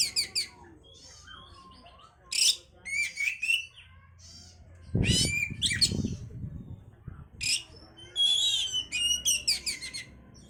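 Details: Oriental magpie-robin song played to stimulate breeding condition: bursts of sharp, varied chirps and harsh squawky notes in high-pitched phrases separated by short pauses, with a low thumping noise and rustling around the middle.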